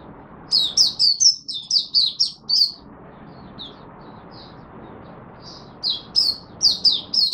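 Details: Oriental white-eye, known as Mata Puteh, a Singapore hobby songbird in humid, warm, rainy, overcast weather: quick strings of high, sweet, slurred chirps repeated about twice a second, a brief pause, then the run resumes.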